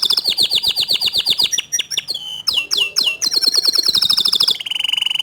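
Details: Young canary prompted by hearing a loud, active canary. Rapid rhythmic chips at first, then sharp upward and downward sweeps, a fast high rolling trill, and finally a steady buzzy trill at a lower pitch.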